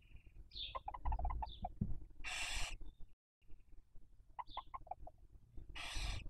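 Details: Barn owl at a nest webcam in Cabañeros National Park, Castilla-La Mancha, Spain, in the 2023 breeding season, raising young; two loud, rasping hissed screeches about three and a half seconds apart, with short thin chirps and low thumping before each.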